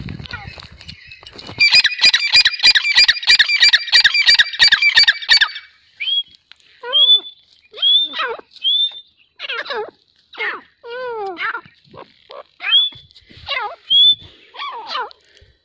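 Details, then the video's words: Grey francolin: a loud, rapid, harsh chattering series, then spaced high whistled upslurs alternating with descending squealed notes, all repeated briskly. "Silver Teetar Call | Teetar Awaaz"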